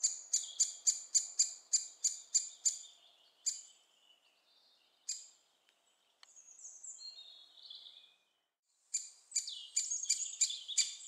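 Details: Young great spotted woodpeckers being fed at Staverden, Netherlands, beg with harsh, high, chattering calls, about three a second, in bursts separated by short pauses.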